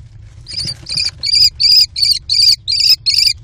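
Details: American kestrel chicks in a nest box, four young crowding as the mother brings prey, screaming in a food frenzy: loud, harsh, high-pitched screeches repeated in a steady run, about three per second, with a low hum beneath.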